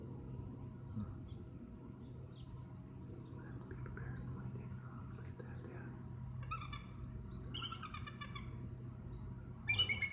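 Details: Bald eagle near Skagit Bay, Camano Island, Washington, on a hot summer day just after sunset, July 28, 2009, gives varied calls: short bursts of thin, high chittering notes a second or two apart, over a steady low rumble.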